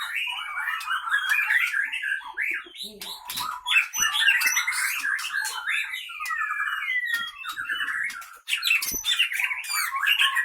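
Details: Caged wild-caught white-rumped shama from Pining, Leuser, Gayo Lues regency, Aceh, Indonesia, fighting in its cage; sharp, long-breathed varied warbling with rapid whistled phrases and chattering notes, some clicks and knocks in the background.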